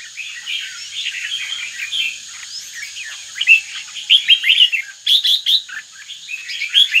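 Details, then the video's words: A caged northern-type red-whiskered bulbul, starting its third moult, gives a busy run of bright bubbling chirps and short warbled notes that grow louder toward the end, over a faint steady high whine. "Chào mào bắc, lân tê mặt quỷ"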